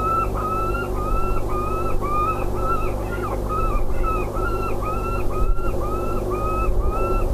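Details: A peregrine falcon at De Mortel, 8 June 2016 around 12:33, during wing exercises as a pigeon is brought to the nest ledge, gives a steady series of harsh, slightly arched notes, about two per second, over a constant low rumble.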